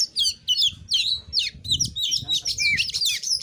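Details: Oriental magpie-robin (kacer) singing in the 'narung nembak materi' style, used to provoke rival birds into answering: rapid, varied high whistles and sharp notes in short bursts, about three per second, with faint low rumbling underneath.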